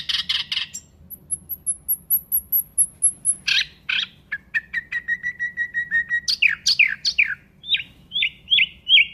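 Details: Nightingale singing rapid harsh chips, then a long thin high-pitched trill, a run of steady mid-pitched notes repeated quickly, and finally loud slurred whistles and sweeping phrases.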